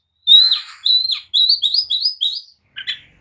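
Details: Agitated oriental magpie-robin song meant to provoke rivals into answering and fighting: a long bright whistle, then a run of rising slurred notes repeated rapidly, ending in a short buzzy burst.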